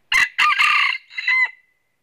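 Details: A wild red junglefowl crows during decoy trapping in the Vietnamese north: a clipped opening syllable, a coarse sustained middle and a thinner falling finish, one complete crow over roughly one and a half seconds against silence.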